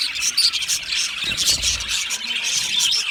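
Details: Loud chirping from a lonely budgie calling for contact or in distress, a steady wash of quick high twitters and rasping notes with a few thin whistled squeaks standing out.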